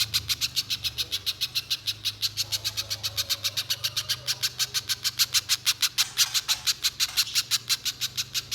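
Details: Continuous spiderhunter song for luring another spiderhunter into long singing: brisk, harsh chipping notes repeated about three times a second, growing louder toward the end, over a low drone.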